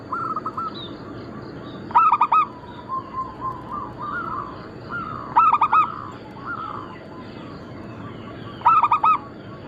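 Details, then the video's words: Zebra doves, both local and Bangkok-cross birds, singing together for use as a lure and tutor song. Three loud bursts of quick, ringing coos recur about every three seconds over softer rolling coos from other birds. "Perkutut lokal gacor - Pintar Mengundang Bunyi semua jenis burung kutut Lokal bangkok crossing"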